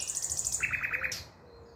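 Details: Song of a common nightingale on 5 May 2023: a quick series of very high pulsed notes drops into a lower run of five throbbing notes, then fades to silence.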